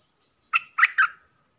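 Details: Bulbul recorded as a lure for wild birds: three quick, loud, slightly harsh chattering notes within a second over a faint steady high insect hiss.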